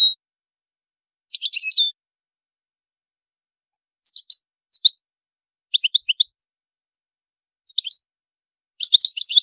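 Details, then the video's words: European goldfinch in high maqams, giving scattered groups of two to four bright, sharp chirps separated by pauses of a second or more. A fuller twittering burst comes near the end. "تغريد الحسون جميل دو مقامات عالية"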